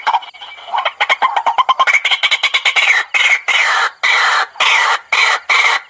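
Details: White-breasted waterhen lure call, used day and night to attract waterhens: harsh, croaking notes come quickly at first, then slow into longer rasping blasts, each about half a second, separated by short gaps.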